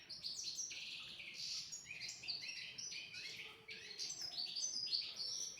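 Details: Tutor song of a European goldfinch for teaching young goldfinches and canaries, an unbroken stream of rapid, tinkling twitters and short slurred whistles, fast and varied throughout with no pauses.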